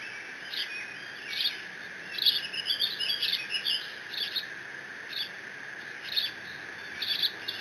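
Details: Eaglet of a bald eagle pair at Decorah, on a nest camera on 30 June 2017, squees over a fish its father delivered. Short, high chirping squeals run in a quick cluster mid-stretch, then come as scattered single notes.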